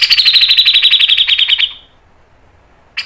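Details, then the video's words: Cucak jenggot, the grey-cheeked bulbul, in one long close-set rattle of about twenty rapid grating notes at an even pace, in 'speed rapat' style, followed by silence and a brief new note. "MASTERAN CUCAK JENGGOT MBESET NGEPIK NEMBAK PANJANG SPEED RAPAT | PANCINGAN cucak jenggot"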